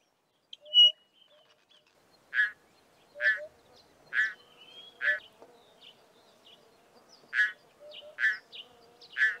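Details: Pririt batis recorded on a farm in the southern Karoo gives a string of harsh, nasal notes about once a second, with a few faint thin whistles and soft low notes between them.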